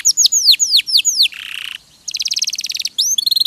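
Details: Canary song used as a tutor recording, with descending whistled slurs, a buzzy low trill, then a rapid rattling trill and bright high notes.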